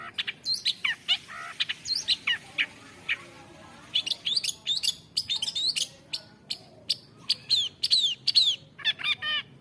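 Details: Long-tailed shrike singing a varied song: rapid run of twisting whistled notes and sharp chirps, many sweeping downward, delivered in quick irregular bursts with brief pauses.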